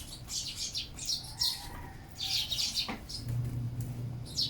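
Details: Feeding sparrows give busy, high-pitched chirping in short bursts, with a brief sharp knock and a low steady hum in the background.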